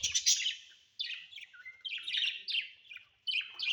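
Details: Budgerigars kept as pets in a home give a scratchy, warbling chatter in uneven bursts, with one clear short whistle in between and brief silent gaps.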